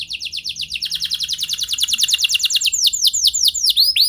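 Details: Canary in lively 'luxurious song' meant to spur any canary into long singing: a long, even trill of quick descending notes, followed by slower looping, swooping whistles.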